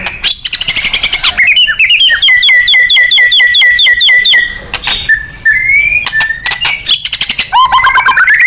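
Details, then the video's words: White-rumped shama singing a powerful 'nembak' training song for contest birds: a ringing series of evenly repeated whistled notes, then clear upslurred whistles and dense rapid trills, steady and loud throughout. "Murai GACOR & NEMBAK"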